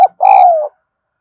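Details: Spotted dove coo to stimulate other doves, close and loud: a clipped first note then a long smooth mellow note gently sliding downward, then silence.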